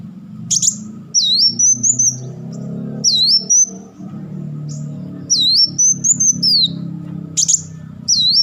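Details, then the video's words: Black sunbird crecetan and tembakan bursts: repeated high looping whistled phrases and sharp chatter notes over steady low droning background sound throughout. "crecetan dan tembakan beruntun Kolibri Wulung"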